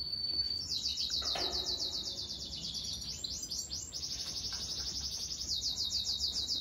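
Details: Budgerigars warbling: a fast, continuous stream of high, rippling chirps repeated several times a second, with a brief lower squawk near the start.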